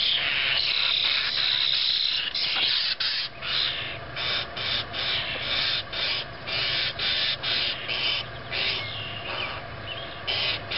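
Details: Baby grackles calling in a rapid, dense stream of short, harsh, raspy bursts, several per second, sometimes overlapping, with a faint low hum behind.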